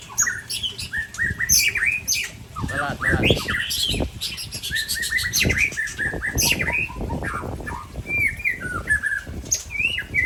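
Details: Sparring white-rumped shamas from Aceh, Ujong Pancu against Tangse, pour out a dense jumble of whistles, trills and high chips with hardly a pause, over steady low rumbling and knocks.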